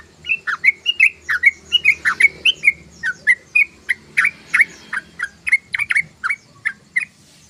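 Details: Sooty-headed bulbul in lively ngeriwik chatter: a long, steady sequence of loud whistled chirps, paired up-and-down slurs repeated about three times a second for over seven seconds.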